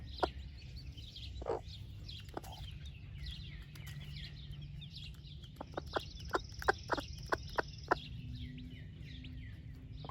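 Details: Splash laced red Wyandotte broody hen feeding her chicks breakfast: scattered clucks early on, then a quick series of short clucks midway, while wild birds chirp and a thin whistle sounds in the background.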